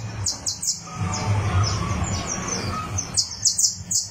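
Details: Warming-up song of a criollo canary on a tournament perch: a few quick high chirps, a quieter stretch, then another tight run of bright descending notes, with a low droning hum behind.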